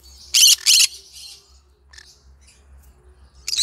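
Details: Yellow-sided green-cheeked conure giving a pair of loud grating squawks, then a trail of soft chatter and a final harsh note.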